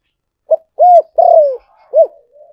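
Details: Decoy cooing of a spotted dove for luring birds: a brief low note, a full rounded coo, a longer slightly rough coo sliding downward, then a last short coo.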